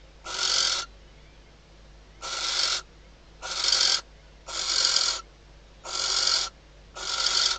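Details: Nesting female barn owl, Riet Vell Nature Reserve, Ebro Delta, summoning the male near hatching time at night; long raspy hisses, spaced about one and a half seconds apart, against a faint steady hum.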